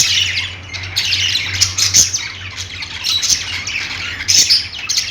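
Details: Parakeet chirping, a flock-like mix of raspy squawks and quick high tweets layered over each other, with sharper louder notes popping out at irregular intervals.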